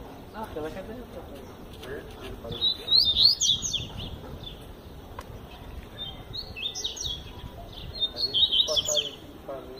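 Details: Tui Tui Zel Zel style song from a double-collared seedeater. Rapid bursts of high, piercing whistled notes come in three phrases separated by brief gaps, with a soft voice audible at the start.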